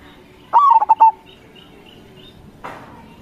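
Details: Local zebra dove singing as a lure for other doves to answer: one clear cooing phrase of a slurred first note and three rapid bubbling coos with a held ending, followed by a short noisy rustle.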